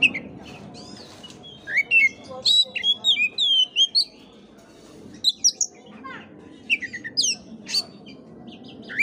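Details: Oriental magpie-robin singing, recorded to coax a listless bird into song: varied whistled phrases with quick upslurs and downslurs in scattered bursts, over a low steady background hum.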